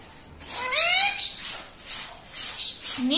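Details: Talking parrot kept indoors, said to say "papa" and "mummy": one clear high, rising, harmonic speech-like phrase among hissy, breathy noise, with a short upward-sweeping sound at the end.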